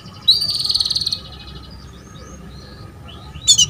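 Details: Female canary calling to lure a young male into singing: a fast buzzy rattled trill near the start, then faint scattered chirps and a short high burst at the end.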